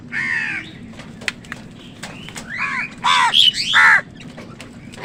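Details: Crows squabbling with wild birds over food: scattered harsh caws and squawks, some rising and falling, louder bursts near the end, over steady low background noise.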